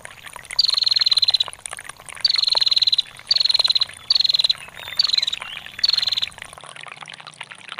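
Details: Ngetir calling by a female bar-winged prinia. Six clipped bursts of rapid, sharp, high-pitched ticks, each starting slightly higher and settling, come at irregular intervals over running water.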